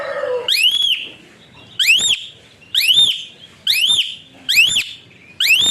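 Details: Asian pied starling sounding its whistle, described as suited to training other birds. Six clear, sharply upslurred whistled notes come roughly once a second, with quiet gaps between them.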